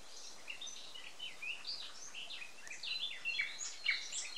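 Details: Morning birdsong in May 2020, Samara Oblast, Russia, as a chorus of short high whistled and slurred notes from several birds overlapping continuously over a faint background hiss.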